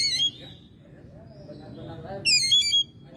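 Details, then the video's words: Caged Oriental magpie-robin at home in May: two short bursts of sharp, stacked chattering notes separated by a quiet gap with faint low sounds. "Burung Kacer gacor rumahan spesial bulan mei"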